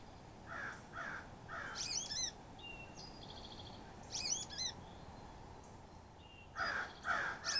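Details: Carolina chickadees visiting a feeder of shelled sunflower seeds in the Great Smoky Mountains. Hoarse, buzzy notes come in pairs and short series, mixed with high, sharply slurred chips and twitters spread across several seconds.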